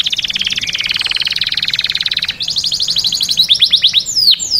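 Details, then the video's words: Canary song associated with mating and with stimulating other canaries: a fast, even trill of rapidly repeated notes for over two seconds, then a quicker buzzy series and loud down-slurred whistles. Faint low background noise is heard. "تغريد كناري ممتع Canário cantando é divertido"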